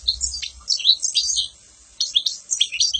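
A European goldfinch sings a rapid, tinkling jumble of high twitters and liquid trills, with a brief pause midway before the bright chatter resumes.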